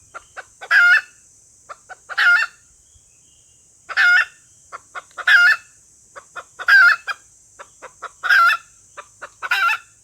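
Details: Female red junglefowl lure call, used to draw wild males into crowing: harsh, cackling two-part notes repeated about every one to two seconds, with soft clucks between them and a steady high hiss throughout.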